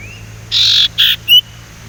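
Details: A learning young male Sumatran leafbird, still raw, used to coax others into song. Two broad buzzy notes followed by a short, clear, rising whistle.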